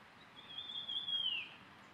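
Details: Hume's Warbler in Landour, Indian Himalaya, Uttarakhand, heard in the morning giving its "chew" call, coming into breeding plumage: a single thin, high whistle, held level then slurring downward, about a second long over faint hiss.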